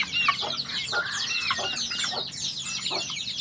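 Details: Short burst of white-eye singing: rapid high chatter and twitter with one longer descending whistled slur near the start. The notes pour out continuously over a steady low background murmur.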